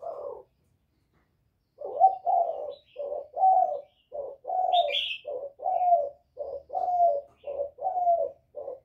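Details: Spotted dove, Thokind voice, calling to provoke rival males: after a brief silence, a rhythmic string of low coos about once every half second, with a faint higher chirp from another bird.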